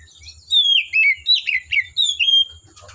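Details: Forest Oriental magpie-robin song: a lively continuous string of rich whistles, slurred downward notes and quick chatters, fast-paced throughout, with a steady high hiss and faint low rumble in the background.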